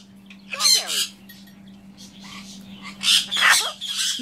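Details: Pet severe macaw named Baby squawks at a phone held to it during a call, harsh broadband squawks in two bursts, near the start and again after three seconds, over a steady low hum.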